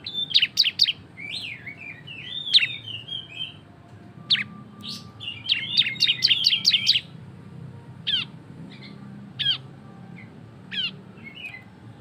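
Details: Ashy tailorbird (cisem) singing loudly in the ngebren style, used to prompt other birds to sing: sharp high downward chips in quick bursts, mixed with thin whistled slurs and scattered single notes, over a low steady hum.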